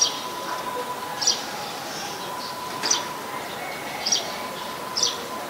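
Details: Malaysian Pied Fantail (Rhipidura javanica) in Ubon Ratchathani, Thailand, 25 November 2019, giving short, high, sharp chirping notes at irregular intervals of about a second, over a steady hum and background noise.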